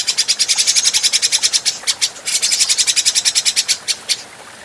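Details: Adult grey-cheeked bulbul singing on a clean training recording: a long run of rapid, evenly repeated high chattering notes with a brief pause midway, the series fading out at the end.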